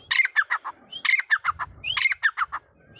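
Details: Grey francolin (Deccani titar), male and female voices: three phrases about a second apart, each a rising whistled note followed by four or five harsh, descending rasps.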